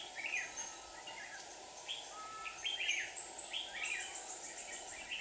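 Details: Trap decoy red-whiskered bulbul in Hòa Bình, Vietnam, calling in wild rivals; rapid, bright chirpy whistles clustered in bursts, with a thin high tone and steady background hiss.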